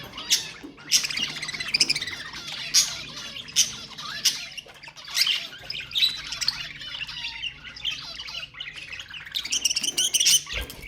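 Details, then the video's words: Budgerigar chatter meant to encourage other pet birds: bursts of scratchy warbles, clicks and shrill squawks spaced roughly a second apart, with a busier run of calls near the end. "اقوى أصوات طيور البادجي طيور الزينة أصوات تحفيز الطيور"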